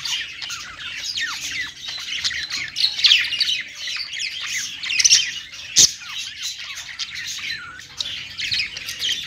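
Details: Perched pet budgies singing an unbroken, chattering warble of twittering, rising and falling squeaks, with one sharp click near the middle.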